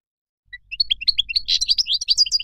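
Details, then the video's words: Moroccan goldfinch starting after a brief silence with a few thin, high notes, then building into a rapid, liquid twitter of tinkling chirps that grows louder toward the end. "تغريد مقنين مغربي"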